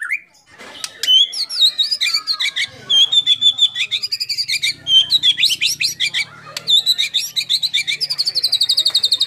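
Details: White-rumped shama performing competition song with mimicked fill-ins: varied squeaky, chattering phrases at high pitch, building into a fast buzzy run of repeated notes at the close.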